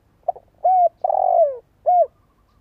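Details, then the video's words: Spotted dove decoy call played so listening birds start cooing: a faint short note, a rounded arched coo, a long rough coo sliding downward, then a final arched coo, all low-pitched and clean. "Tiếng chim cu gáy mồi cây giọng hay hạp bổi - Chim nghe là gáy. Mở lên chim non nghe nhanh gáy."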